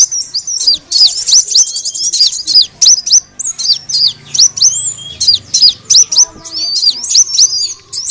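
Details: Lure sound of the kolibri wulung sunbird for attracting birds; dense bursts of shrill, high twittering notes and quick upward-sweeping whistles, repeated in clusters over eight seconds.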